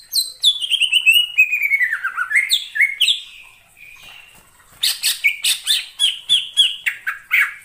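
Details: Greater green leafbird in wild forest, singing a loud, varied run of clear whistles that slide downward, then rapid sharp repeated chips and buzzy high notes after a brief pause.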